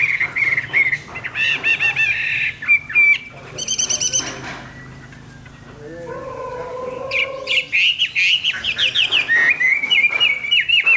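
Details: Hwamei in full morning song: rapid varied whistled phrases and trills, a brief pause filled by a lower harmonic sound, then fast rolling warbles return.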